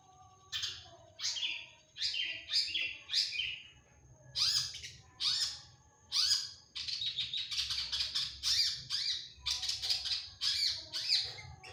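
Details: Long-tailed shrike (cendet) delivering a full song packed with imitations and 'tembakan' shots. Separated harsh rasps give way to a dense, rapid stream of scratchy chattering notes that quickens toward the end.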